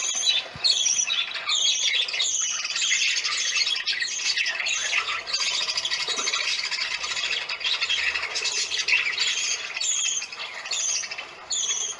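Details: Dense chatter of parakeets calling for attention during a visit to relatives, steady rapid squawks and squeals overlapping for the whole stretch.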